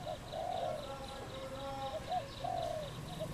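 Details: Cambodian wild dove, 22 April 2020, giving soft low coos: short hoots leading into long, purring held notes, the phrase repeating after about two seconds over quiet outdoor background.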